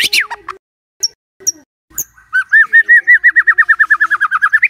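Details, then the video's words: White-rumped shama song played in the morning to get a silent bird singing: a few sharp high notes, then a fast run of about twenty repeated looping whistled notes near mid pitch. "Pancingan PAGI-PAGI AGAR MURAI GACOR❗sekali coba murai DIAM langsung bunyi"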